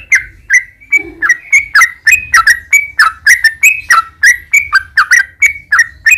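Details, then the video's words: Sooty-headed bulbul singing steadily, played to draw caged birds into answering: a continuous run of liquid, gurgling whistled notes, roughly three per second, rising and dipping, with a low hum in the background. "trucukan gacor ROPEL PANJANG buat pancingan trucukan agar bunyi jadikan burung trucuk gacor NYAUT"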